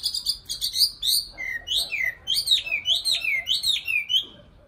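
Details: Nightingale song, a steady stream of loud, evenly paced whistled notes, each a bright downward or upward slur, repeated about three times a second before it stops.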